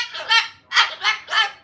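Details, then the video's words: A pet rescue cockatoo, female, described as mad after refusing to cooperate with filming, gives four harsh, raspy, bark-like squawks in quick succession. "Mad Cockatoo"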